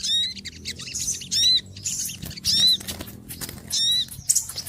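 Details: Noisy small birds making loud, high chirps with a falling hooked shape, in short bursts about once a second, over a faint low hum.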